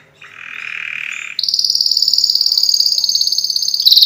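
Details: Canary song, described as the strongest canary song for training other birds by listening: a soft buzzy mid-pitched trill, then a shrill, very rapid high roll held steadily for over two seconds.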